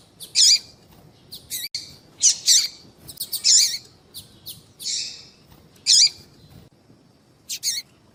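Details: Female double-collared seedeater calling to attract males: sharp, high, scratchy chirps given singly and in quick pairs at irregular intervals, with quiet gaps between.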